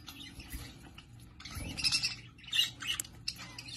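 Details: Australian budgerigars in a breeding setting, making scratchy, warbling chirps and squawky chatter in uneven bursts, rising in loudness midway, over faint low rumbling.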